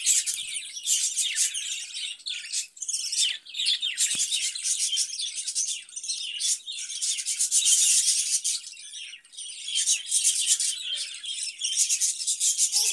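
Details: Lively twittering from caged budgerigars, a dense, scratchy mix of chirps, rasps and squeaks running throughout with few breaks.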